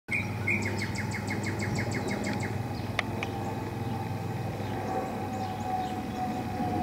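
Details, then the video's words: Northern cardinal singing in spring 2014: a quick series of about ten short, sharp slurred notes repeated rapidly, then silence, over a steady low hum and rural background noise. "Cardinal - spring 2014"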